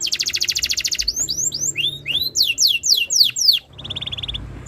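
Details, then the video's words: Tutor song of a canary meant to set other canaries singing, opening with a rapid rattling trill, then a series of rising whistled swoops, descending slurred notes and a closing soft trill. "MASTERAN BURUNG KENARI ABAD INI - BIKIN KENARI LAIN IKUT BUNYI"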